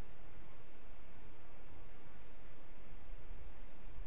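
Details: Only a flat, even hiss fills the recording, muffled above the mid-range, with no animal sound at all.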